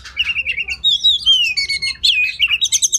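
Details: Oriental magpie-robin (kacer) song used as masteran training material for competition birds: rich whistled phrases sliding and warbling, mixed with rapid high chirps and a quick repeated trill at the end.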